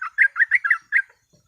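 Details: Short burst of sooty-headed bulbul 'ropel' song used as a lure: six rich, bubbly notes in quick succession, then quiet.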